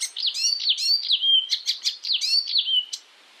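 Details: Icterine warbler from Europe, singing for songbird training: rapid, sweeping whistled notes rising and falling, mixed with clipped high chirps, ending in a steady whistled tone before silence.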